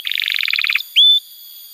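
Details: Canary song fragment meant to spur young or silent canaries: a quick bubbling two-pitched trill followed by one clear rising whistle held briefly.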